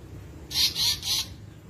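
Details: Asian paradise flycatcher (tali pocong, seriwang) calling: three rapid, scratchy, buzzy notes delivered in an even run against faint background hum.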